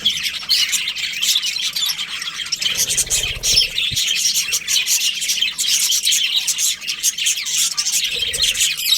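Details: Budgerigar colony in breeding season, a dense continuous chatter of high chirps and squawks from many birds overlapping with no pauses across the whole stretch.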